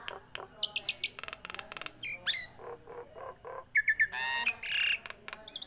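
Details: Tame Nias hill myna singing vigorously: a rapid jumble of harsh harmonic squawks, broadband rasping bursts and short clear whistles, with a bright rising whistle near the end and buzzy screeches closing the phrase.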